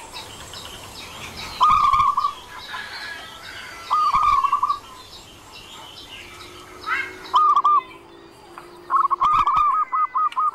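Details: Local zebra dove giving a master song to draw replies from other doves. Short rolling coo phrases repeat over a noisy background full of busy higher chirps from other birds, plus a faint low hum.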